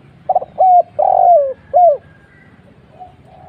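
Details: Spotted dove lure call, 'kuk 1' type: a single phrase of quick stuttering notes, a clipped coo, a long descending coo and a final short coo, followed by faint soft cooing.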